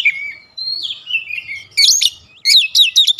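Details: Oriental magpie-robin song for provoking other magpie-robins, opening with long smooth whistles that glide up and down, followed by harsh buzzy bursts and quick high chirps.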